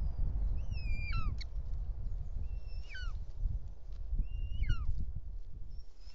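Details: Bonelli's eagle at its nest in Els Ports Natural Park, Catalonia, 6 June 2024, the male landing with a snake: three harmonic whistled calls about two seconds apart, each level and then sliding downward, with low rumbling noise.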